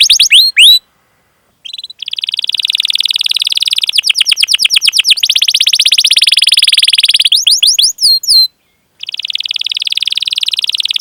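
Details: Rolling canary song meant to set young or silent canaries singing: brief sweeping chirps, then long sustained high buzzy trills broken by quick chirp runs and short pauses.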